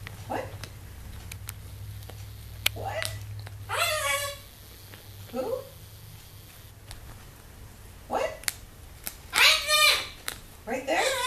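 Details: A pet female severe macaw indoors, checking out a visitor at the window, gives short, raspy, speech-like calls in irregular bursts, ending with a loud harsh screech, over a low hum.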